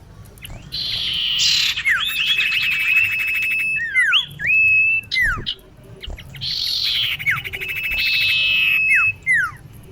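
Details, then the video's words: Female common iora calling to a male, used for luring: two long buzzy phrases with steady whistles running through them, separated by sweeping downslurred and looping whistled notes, the pattern repeating twice. "Kicau cipoh betina memanggil jantan"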